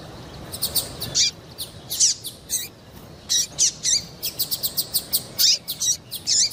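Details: A female double-collared seedeater calls, the piping used by tournament breeders to get males singing; steady stream of high sharp chirps and downslurred whistles, repeated roughly every half second over faint hiss.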